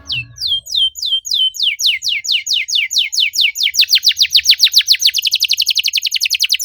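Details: Canary lure song in the dense 'cuit cuit' style: high descending sweeps repeated steadily, quickening into a fast, tight trill during the last seconds; a faint low thump opens the recording.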